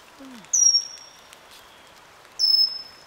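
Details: A Pygmy Cupwing, a resident of moist forest herbage, in Eaglenest Wildlife Sanctuary gives two thin, very high, drawn-out whistles that slur slightly downward, about two seconds apart, over soft background hiss.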